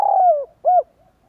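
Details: End of a spotted dove lure call: a long mellow coo gliding downward, a brief gap, then one rounded shorter coo, followed by faint soft notes.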